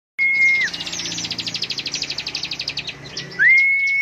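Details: Bar-winged prinia singing in the ngebren style, a rapid, full-power trill: a long run of fast, evenly repeated high buzzy notes about four per second faster than counting, framed by a loud, steady, pure whistled tone at start and end.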